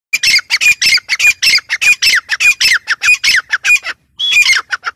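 Grey francolin giving loud, harsh squawking notes in rapid repeated bursts, several per second, with a brief pause near the end.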